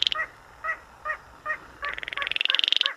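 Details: Baillon's crake in the 'gõ ghẻ' style, played to lure birds into nets at night: evenly spaced short knocking notes, then a run of quickening notes that merges into a dry, buzzy rattle.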